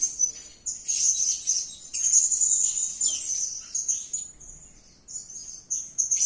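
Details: Blue-crowned hanging parrot calling: shrill, very high chattering in uneven bursts of rapid notes, with brief gaps before each new flurry.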